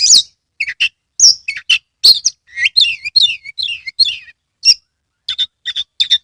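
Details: Oriental magpie-robin from Kebumen, Central Java, singing vigorously with tail spread: varied high chirps, sweeping whistles and quick trills in short bursts separated by brief pauses.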